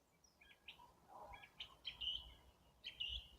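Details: Wild birds in April slowly warming up their singing: short high chirped notes, a few scattered then a run of bright whistled phrases near the end, over a soft low rumble.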